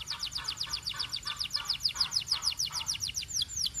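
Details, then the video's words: Belgian canary delivering a rapid, even tour of bright downward-slurred high notes, roughly five per second, with lower buzzy undertones throughout. "Belgian Canary Singing"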